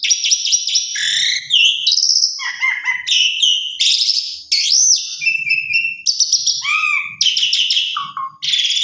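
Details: Asian pied starling giving a long, varied lure song to provoke other starlings: loud whistles, rising and falling slurs, harsh buzzy phrases and chattering notes following one another almost without pause.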